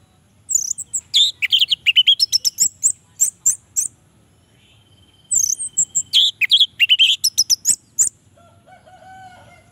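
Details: Orange-headed thrush song, played as a lure and therapy to prompt lazy males to sing: two loud bursts of rapid, varied chirps and whistled notes, high and sharp, separated by a short pause, with faint thin tones near the end.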